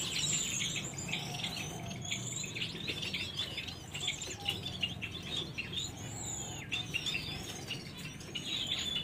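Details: Lady Gouldian finches of a yellow-backed, orange-hooded colour form give a steady stream of thin, high chirps and short twittering notes, overlapping as from several birds, over a low background hum.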